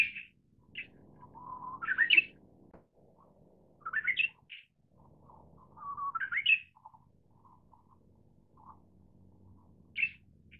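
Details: Repeated song phrases from a Manchurian bush warbler: a drawn-out low whistle breaking into a quick ascending warble, heard three times over about ten seconds. Scattered soft short notes and an isolated high note follow over faint background hum.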